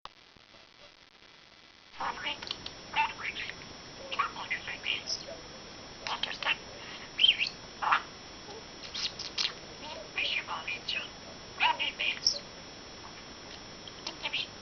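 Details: A one-year-old male pet budgerigar (Melopsittacus undulatus) talking, chattering in rapid, high, squeaky bursts that imitate human speech.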